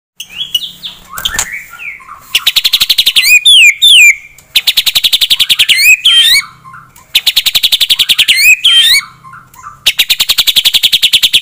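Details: Captive white-rumped shama singing loudly to provoke a rival's aggression: rapid buzzy rattling bursts alternating with sharp, looping whistled notes, the pattern repeating in strong phrases separated by short pauses.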